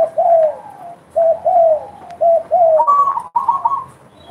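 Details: Spotted dove calling actively: hollow coos in paired downslurred notes, followed by a higher, flatter string of quick notes near the end.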